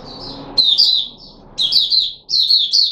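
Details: Puteh Raja red-whiskered bulbul, a kept bird recorded 13 April 2021 after special fruit juice and one mealworm. Quiet soft notes lead into three loud bursts of bright, quickly slurred whistled notes.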